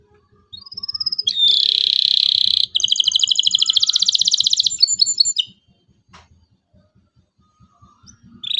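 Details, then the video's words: Local canary singing, used as a lure to teach young canaries to sing: a thin rising whistle, then a long dense buzzy trill and a rapid run of repeated chipping notes, followed by near silence with a low rhythmic thumping underneath. "KENARI LOKAL GACOR CUIT CUIT EMOSI, PANCINGAN LENARI PAUD AJAR BUNYI"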